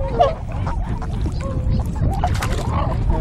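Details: Wintering tundra swan flock on a river in Kawajima, Saitama, Japan, February 2017; scattered short honks and longer level notes from several birds rise over a dense low rumble, with a few brief sharp noises.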